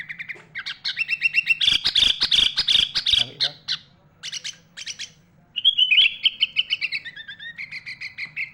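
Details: Sooty-headed bulbul known locally as kutilang, a 'gacor' bird packed with borrowed calls of other birds: quick trilled chirp series, a dense burst of sharp clicks and notes, then a long descending warbled phrase and repeated chips.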